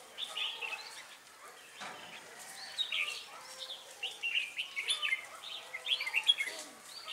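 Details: At a Ba Thá trap on 18 December 2016, a lure red-whiskered bulbul sings to draw in wild birds: lively warbled phrases of chirpy notes, repeated in bursts with brief pauses, over faint background noise.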